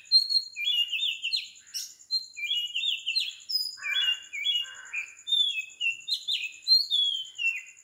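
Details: Oriental magpie-robin recorded at 4 am in Sri Lanka, singing a rich continuous string of sweet whistled phrases, slurred up and down and mixed with a few harsher chattering notes, over a constant high-pitched background tone.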